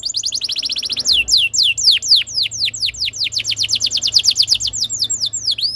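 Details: Canary tutor song to encourage other canaries to sing: a quick buzzy trill leading into a long steady sequence of clear downslurred whistles, several per second.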